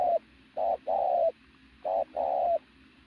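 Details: Decoy native pigeon with an athletic build giving two loud coo phrases, each a brief note followed by a longer sustained hollow one.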